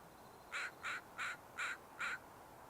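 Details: An American crow that just flew up from the beach at Sargeant Bay Provincial Park, British Columbia, on an April 30 morning gives five harsh, hoarse caws in a quick, even series over a soft steady background hiss.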